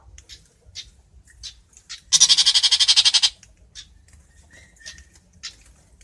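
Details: A long-tailed shrike calls to gather its flock: one loud, grating burst lasting just over a second, made of about a dozen fast rasping pulses, framed by faint ticks and quiet chirps.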